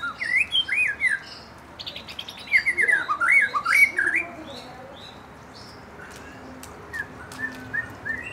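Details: Young forest white-rumped shama, provoked to sing, pours out fast scratchy chirps and zigzag whistled notes in quick succession, then quieter scattered calls toward the end.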